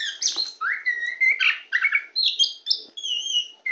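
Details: Kacer poci, the tame Oriental magpie-robin, sings from a person's hand in a continuous flowing phrase of rising whistles, sweet slurred notes and quick twittering trills, about one note a second, with a thin high whistle near the end.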